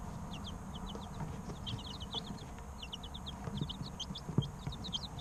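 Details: Group of baby chickens about three weeks old: many quick, high peeps sliding downward, clustered in bursts and nearly continuous, over faint tapping and steady low hum.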